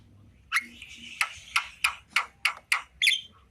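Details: Javan myna in the afternoon giving a series of about eight sharp, scratchy notes spaced irregularly, roughly three per second, against a quiet background hum.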